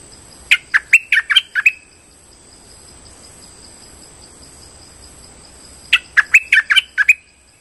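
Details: Trapping lure call of a streak-eared bulbul: two rapid runs of seven throaty chirps each, about four seconds apart, a continuous faint whine high above.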